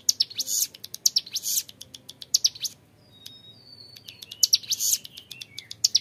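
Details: Young mountain prinia with clear ngebren song: fast clusters of high sharp chips, a brief pause with a thin drawn-out whistle, then more rapid chip bursts.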